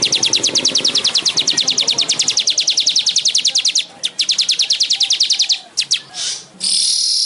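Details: Weaver (manyar) song: a long, rapid stream of sharp, high ticking notes, briefly broken, then resuming before giving way to a harsh, sizzling buzz.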